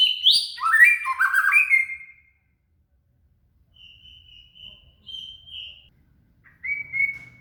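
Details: Shama (murai) song used as tutoring material for a cililin; a burst of rich, fast sliding whistled notes, then a quiet pause, then long steady high whistles and a final short rising whistle.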